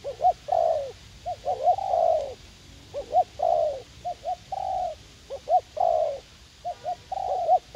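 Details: Young spotted dove eager to fight, used as a decoy in a garden in U Minh, cooing continuously in low hollow phrases that mix quick paired hiccups with longer mellow notes, barely pausing.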